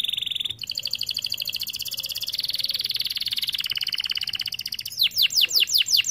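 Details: Canary song played to encourage other canaries to sing, a long fast rattling trill of high notes that shifts in tone midway, ending in a string of loud downward-swept whistles.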